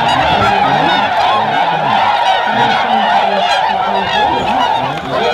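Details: Many Tundra swans in Ontario, Canada, calling as a spooked flock tries to take off after a deer appears, March 2017; loud overlapping nasal honks and hooting notes form an unbroken wall of sound throughout.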